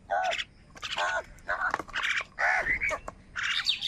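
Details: Rainy-morning feeding fight between crows and wild birds; loud, rasping caws repeat about twice a second, mixed with sharper chatters from the competing birds.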